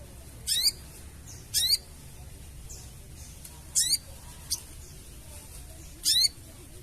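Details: Chattering crecetan calls of a sooty-headed bulbul, played to lure birds for trapping: brief harsh, rasping bursts of zigzag notes repeated every one to two seconds, with a soft click between them and quiet hum behind.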